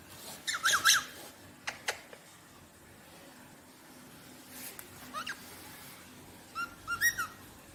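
Rosella giving short bursts of clear, piping whistles with a slight bell-like ring, in three groups a few seconds apart over a faint hiss.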